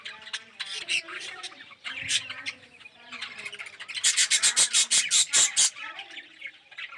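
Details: Budgerigars living as a colony in an aviary, some red-eyed and yellow; varied chirps and squawks, then a run of rapid sharp repeated notes about two each second before the chatter thins out.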